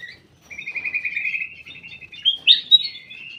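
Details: In a private aviary, a ruby-throated bulbul delivers a long, even string of rapid repeated notes, then ends with two or three louder, rich whistled phrases.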